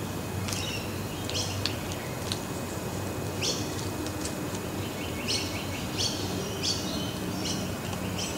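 Scaly-breasted lorikeets give short, harsh, high screeches in bursts about every second, over a steady low rumble.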